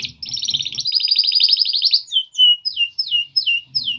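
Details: Polish male canaries singing: a fast buzzy trill of rapid repeated notes for two seconds, then a series of clear down-slurred whistled notes repeated about twice a second, with faint low rumbling underneath.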